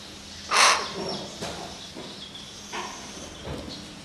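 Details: Caged common hill myna at home, May 2015, attempting to converse with its owner: one loud harsh broadband screech, followed by softer scattered clicks and faint whistles against a low hum.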